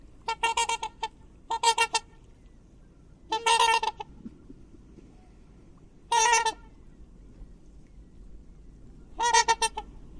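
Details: Trumpeting swan calls, each a short cluster of nasal, brassy honks separated by pauses of one to three seconds over quiet background noise.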